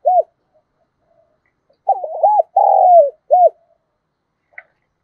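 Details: Spotted dove used as a lure to draw wild birds: soft low arched coos, a single note, a pause, then a quick run of coos ending in a drawn-out note and a final coo, in a quiet setting.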